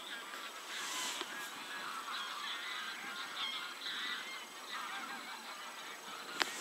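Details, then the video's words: Outdoor flock of geese with a continuous chorus of short nasal honks from many birds, a sharp click near the end. "Geese / Gęsi"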